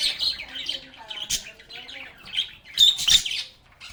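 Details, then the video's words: Lovebirds singing, playing and talking together: dense, high chirps and squeaky twittering notes in irregular bursts, with brief louder sharp calls near the end. "Lovebirds agapornis sounds | Relaxing Sounds of Singing, Playing, and Talking Parakeets"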